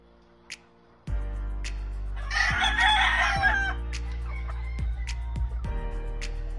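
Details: Grey Kelso Albany chicken rooster on a breeding farm giving one harsh, harmonic-rich crow lasting over a second, rising then trailing off, over steady loud background music with thumping beats.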